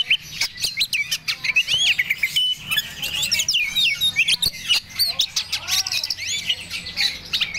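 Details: Oriental magpie-robin of the Medan type, in breeding condition, singing a dense, fast run of varied whistled phrases with rising and falling slurs, sharp chirps and clicks, with barely a pause throughout.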